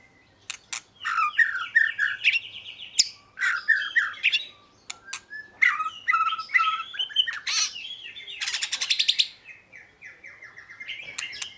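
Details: Oriental magpie-robin delivering dense chattering and squawky phrases, harsh buzzy bursts alternating with short whistled notes, in clusters separated by brief pauses, ending with a rattling buzz and a few thin whistles.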